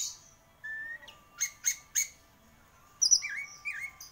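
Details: Orange-headed thrush, a champion gacor bird, giving a steady whistle, three sharp repeated chips, then high trilled notes and two looping whistles.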